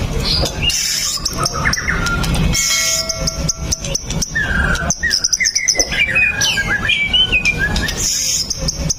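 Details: White-rumped shama (murai batu) song played as a lure to prompt other shamas to sing: varied loud whistles, sliding notes and chattering phrases, over steady high insect-like buzzing and bursts of broadband rustling noise.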